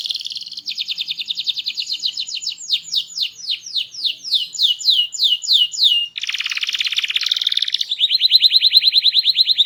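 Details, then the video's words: Canary with a small body and a loud, melodious voice delivers a long fast trill of sweeping notes, speeding up, then a harsh buzzy burst and a steady high rolling trill. "Burung Kenari Gacor, Body Kecil Suara Keras Merdu Bervariasi"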